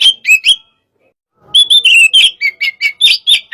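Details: Oriental magpie-robin, "hot type", in a stimulating session: a few clear whistled notes, a second of silence, then a quick run of ringing whistles and chips stepping up and down.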